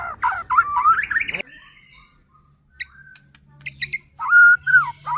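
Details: Caged white-rumped shama singing to provoke rival shamas; a rushed burst of rising whistles, a pause with faint high notes, then a sustained clear whistle with a wavering end.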